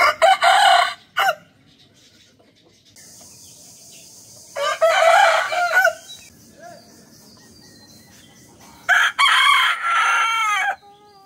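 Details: Rooster crows in the morning, several harsh bursts across the stretch, with a steady high hiss in the background between calls.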